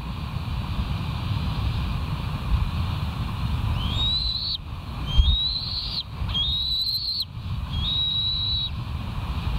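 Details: West End bald eagles on a live nest camera, morning of 13 August 2023, 07:36; four high, rising whistled notes in the second half, each bending upward before flattening, over a constant low wind-like rumble.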